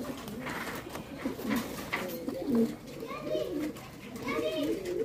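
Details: Archangel pigeons of a rare fancy breed in Bangladesh produce deep, rolling coos in overlapping phrases while a person talks quietly nearby, along with a low background hum.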